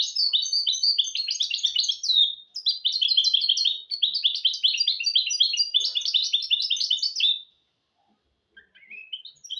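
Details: Hybrid goldfinch-canary mule in song for training goldfinches and canaries. It gives fast, bright twittering phrases in three long bursts, then a short pause and a few further notes near the end.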